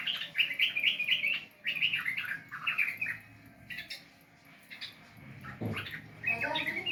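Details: Sooty-headed bulbul kept as a songbird, sound used to coax a quiet bird into singing: bursts of fast, high chattering chirps separated by pauses, with a low thud midway.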